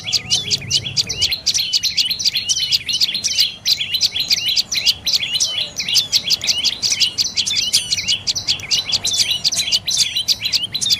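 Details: Fast, unbroken stream of piercing high chips from a dark-necked tailorbird, the notes tightly packed and evenly spaced, hardly varying over the whole stretch; slight low background hum.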